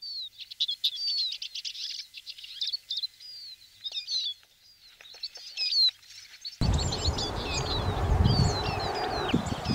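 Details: Eurasian siskin in lively twittering song, mixing high chirps, slurred whistles and short trills, continuing over rising background noise toward the end.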